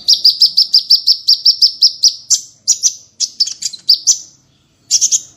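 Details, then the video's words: Small bird singing in masteran style, packed with 'tembakan' shots and varied phrasing: a steady series of about a dozen evenly spaced high chirps, followed by uneven bursts of piercing notes, a short pause, and a final rapid burst. "MASTERAN BURUNG KECIL FULL TEMBAKAN VARIASI MEWAH"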